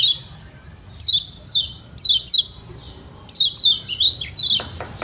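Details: 'Ciak ciak' call of a Lombok kecial kuning, or yellow white-eye, intended to draw replies from other white-eyes. Clear, high downslurred chirps repeat at roughly half-second gaps, then bunch into a faster series, ending with a few clicks.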